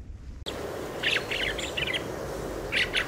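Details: Fieldfare muttering subsong, a quiet chattering heard even in autumn and in sunny winter weather: after a brief silence, short scratchy chirping phrases come in two loose bursts over a steady background hiss.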